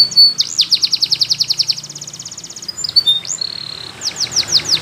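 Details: Belgian canary training song for young birds: rapid buzzy trills, a drawn whistle, a fast rattling roll of evenly spaced notes, then brief sharp chips and a run of descending swooping notes.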